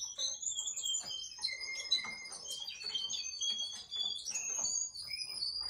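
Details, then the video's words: Canary, called a Russian canary, sings a continuous, high warbling song of rapid trills, whistled notes and chattering phrases, with no pauses. "RUSSIAN CANARY SINGING"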